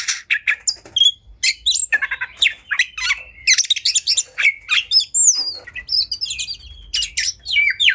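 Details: Oriental magpie-robin (kacer) fighting with high emotion, spurring others to open their tails; rapid mix of harsh rasps, clicky chirps and bright down-slurred whistles, tightly packed with brief gaps.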